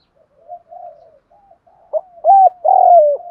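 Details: Lure recording of male and female spotted doves meant to make wild doves coo: faint soft murmuring notes build into a sharp short note and two loud, deep, drawn-out coos at the end.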